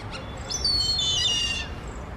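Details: Indian grey hornbill giving one drawn-out, high, squealing note with a strained, harmonic-rich quality, lasting about a second, after a few short faint notes, over a low rumble of background noise.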